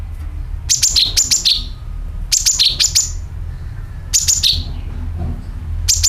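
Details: Sooty-headed bulbul calling, a recording used to lure birds: three bursts of rapid, piercing chirps, each phrase dropping in pitch at the end, spaced about two seconds apart over a steady low rumble.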